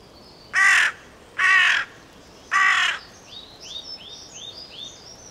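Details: Three hoarse, drawn-out caws from a carrion crow in quick succession, then a run of small songbirds' rapid high-pitched chirping fills the background.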